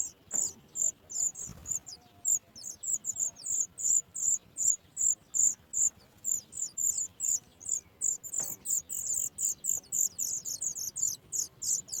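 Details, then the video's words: Sooty chat young begging as parents bring in food; a fast run of high, sharp, downslurred chirps that crowd closer together toward the end, with soft rustling below. "Sooty chat trying Birds bring food from outside to feed their young"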